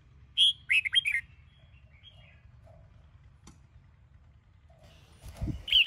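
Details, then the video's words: Sông Kôn red-whiskered bulbul during morning song training: one fast phrase of ringing, slurred notes, then near silence, a dull low thump and the start of another note. "Chào Mào Sông Kôn - Luyện Giọng Hót Hay | Luyện Chào Mào Bổi Hót Sáng"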